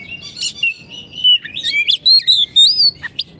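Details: Singing caged Oriental magpie-robin used as a training tutor: flowing whistled phrases that slide upward and wobble, with sharp chirps and a final clipped note, loud and continuous.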